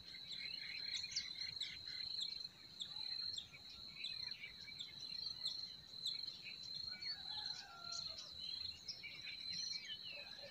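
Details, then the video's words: Forest birds in spring chorus with dense clusters of quick high chirps and a few lower slurred whistles partway through, all over an unbroken shrill hum. "Relaxing Singing of Forest Birds"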